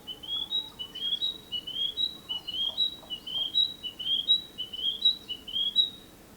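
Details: Narcissus flycatcher song from 2017: a rapid series of rising whistled notes repeated about twelve times in quick, even rhythm, clear and loud over a low steady hiss.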